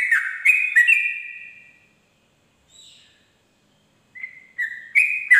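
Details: Dawn song of a sooty-headed bulbul in ropel style: a burst of whistled high-low notes, a pause of near silence with a faint distant note, then the whistling resumes.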